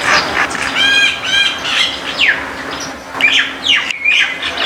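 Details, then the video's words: White-eared bulbul (white-cheeked or Iraqi bulbul) singing in a backyard: a pair of rich, harmonic, bubbly notes early on, then quick downslurred chirps and sharp notes, with other birds chattering around it. "White-eared Bulbul sound"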